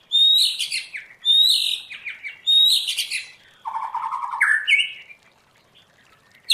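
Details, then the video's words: White-rumped shama, trained for wild-style song, repeats high rich phrases about once a second, then lower warbled notes before falling silent. "Luyện choè lửa hót theo giọng rừng hay"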